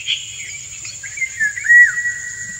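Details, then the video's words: Courtship song of a male Indian golden oriole, with the female dancing to it: short liquid whistled notes building to a clear, slightly falling fluty whistle, over a constant high-pitched insect hum. "Indian Golden Oriole - An Uncut Courtship Session"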